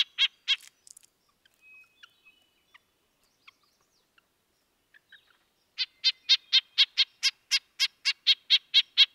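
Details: Red-breasted nuthatch (Sitta canadensis) giving nasal, tinny 'yank' calls, likened to a tin trumpet: two at first, then a steady run of about fourteen at roughly four per second, with faint ticks between.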